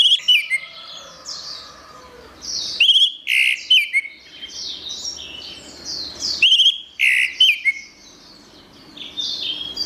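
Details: Song of an orange-headed thrush, recorded as a tutor track for training cage songbirds: two loud bursts of sharp whistles and slurred notes about four seconds apart, between continuous high, fast chattering chirps.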